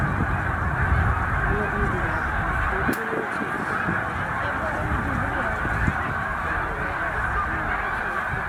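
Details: A flock of about 100,000 snow geese at Middle Creek wildlife refuge on migration; dense continuous honking mixed with low rumbling and a few sharp clicks.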